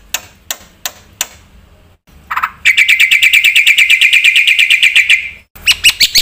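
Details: Black-winged myna singing with filler: a few spaced sharp clicks, a short rising note, then a long, fast, even trill of bright chirps, ending in several separate sharp notes.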